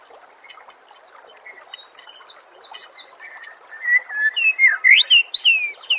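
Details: White-rumped shama song for training contest birds: quiet ticking notes first, then loud, clear, looping whistled phrases rising and falling, building in volume toward the end.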